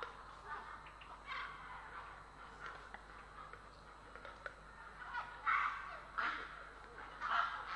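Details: Harsh, hoarse grey heron calls in Estonia on 3 April 2017, growing louder toward the end, set against background hiss and scattered faint chirps of other birds.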